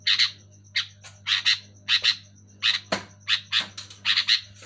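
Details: Sooty-headed bulbul calling loudly: dense, raspy chirp bursts about every half second, some doubled, forming an agitated chatter over a low hum.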